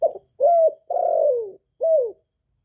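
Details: Low four-part coo of a spotted dove from Vietnam, sung in a calling and urging style to push newly caught doves into singing: a choppy first note, a steady one, a long sinking note and a short falling finish.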